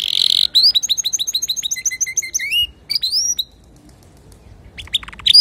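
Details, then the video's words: Male canary singing to teach young canaries: a buzzy roll, then a run of evenly repeated chirps and a falling trill, followed by silence and a few faint notes at the end. "تغريد ذكر كناري صافي لتعليم صغار الكناري"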